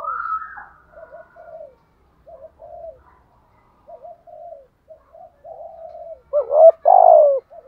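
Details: Spotted dove kept as a decoy bird, cooing in the thúc gù style. Several soft, low, paired coo notes come in quick succession, building to a loud, hoarse double coo with a long final note at the end.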